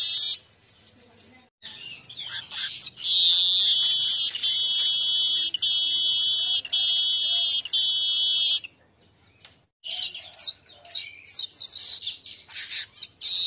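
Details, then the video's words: Asian golden weaver singing at midday, used as training song for other birds: a long, loud sizzling buzz held for about five seconds, broken by brief gaps, surrounded by scattered chirps and faint background noise. "Masteran burung Manyar siang hari"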